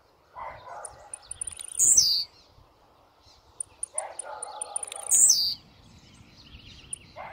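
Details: Two loud descending buzzes from a very aggressive blue-black grassquit, about three seconds apart. Lower warbled notes and a steady faint hum sit beneath.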